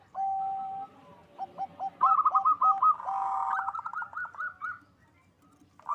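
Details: Local zebra dove (perkutut) from a Bekasi, West Java breeding farm, loud song to raise mating drive: a low held coo, scattered soft notes, then a strong rolling series of quick coos rising slightly before fading.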